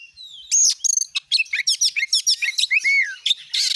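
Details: Oriental magpie-robin in full song, used as a lure to provoke other magpie-robins into singing: a rapid, varied run of high whistles, sweeping slurred notes and quick chattering trills, with a harsh buzzy burst at the end.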